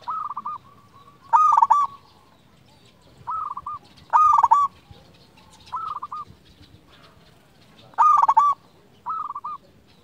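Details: Lure song of a local zebra dove meant to stir silent doves into replying: repeated low cooing phrases, softer trilled bursts alternating with loud rolling coos about every two seconds, light background hiss.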